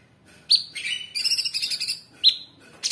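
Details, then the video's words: Orange-bellied Leafbird, known locally as cucak cungkok, a cage bird used as a training master: two sharp rising whistles framing a fast buzzy trilled rattle, then a harsh burst at the end. "Tembakan Cucak Cungkok super gacor"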